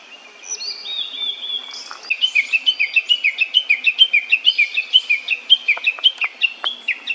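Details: Young blue-and-white flycatcher, seen at mealtime, begins with a few high whistles and then gives a rapid, even series of short chirping notes, about four each second, with faint clicks behind.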